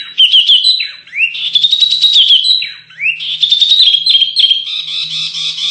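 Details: Canary singing on masteran training audio for contest birds: long rising whistled sweeps broken by dips, fast buzzy trills layered over them, and a sustained rattling trill to finish.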